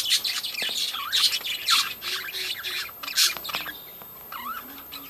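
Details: A breeding colony of budgerigars squawking and twittering together, loud harsh squawks rising out of continuous warbling chatter, which thins out toward the end.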